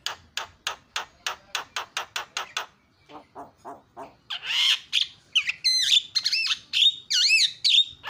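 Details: Javan myna calling to goad other mynas into calling: a steady train of short dry clicks about four per second, then loud buzzy chatter and looping, warbling whistled notes.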